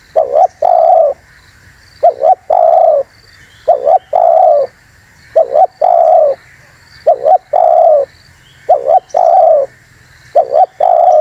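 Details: Spotted dove call used to lure wild doves and provoke other doves: a quick double coo followed by a long, slightly falling coo, the phrase repeated about every two seconds, with faint high chirping behind.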